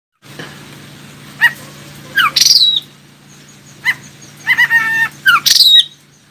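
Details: Oriental magpie-robin song played to prompt other magpie-robins to answer and sing: short separated phrases of stacked nasal notes and bright high whistles sliding downward, with quiet gaps and a steady low hum underneath.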